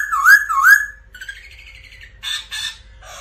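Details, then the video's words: Black laughingthrush singing: two loud looping whistles, then a buzzy chattering run and harsh broadband squawks. "Chim khướu Mun hót múa kích bổi cực căng"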